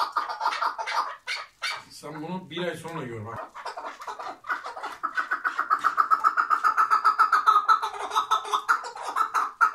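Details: Chukar partridge kept tethered in Şırnak, Turkey, calling in a fast, pulsed, nasal chatter that builds into a sustained rhythmic rattle; a brief human voice cuts in near the start.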